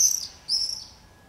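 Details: Two short shrill screams from common swifts nesting at a house in Beek Ubbergen, the Netherlands, recorded 22 July 2012 during screaming-party activity, the second scream following half a second after the first.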